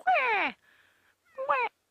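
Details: Grey Go-away-bird giving frantic alarm calls at a pair of African hawk-eagles on a sunset safari drive, 10 July 2016: two loud, nasal, downslurred calls, a long drawn 'gwaaay' and a shorter one about a second later.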